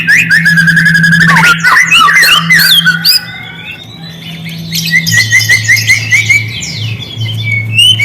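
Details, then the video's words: White-rumped shama song used as a lure: dense rapid whistles and chatter, a quieter stretch, then high sustained whistled notes and buzzy trills over a steady hum. "Murai diam langsung merespon suara burung ini, pancingan murai batu"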